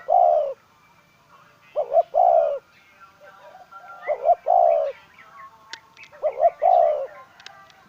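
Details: Decoy spotted dove cooing: mellow low phrases of a single coo, then a double note and a longer trailing coo, repeated about every two seconds, with faint clicks in the background.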